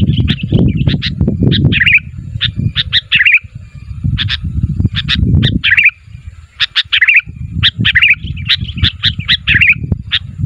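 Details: Sooty-headed bulbul calling to provoke answers from other bulbuls, delivering busy clusters of bright chirps and slurred twittering notes, set against intermittent low rumbling background noise.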